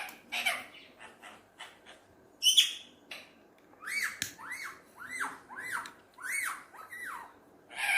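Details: Tame Alexandrine parakeet at its mirror, scattered soft raspy notes, then a series of arched whistled notes repeated about every half second, fairly quiet and close.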